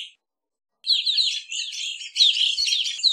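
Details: Evening grosbeak with a dense, continuous stream of overlapping chirps and buzzy trills running for over two seconds after a single brief note.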